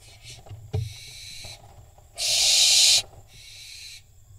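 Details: Barn owl fledglings fighting on top of a nest box in Israel, 7 July 2021, nest camera; one loud harsh hissing screech of nearly a second, with fainter rasping screeches before and after and a short thump.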